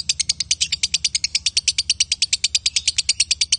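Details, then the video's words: Lovebirds, male and female, in a continuous rapid chatter of sharp, high ticking notes, about eight per second, very regular and loud throughout. "Love Bird Jantan & Betina suaranya Bagussss"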